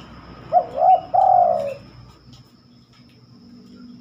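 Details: At night a spotted dove gives a single cooing phrase: two short, bouncing hooked notes followed by one long, slowly sagging low coo, then quiet with faint background hum.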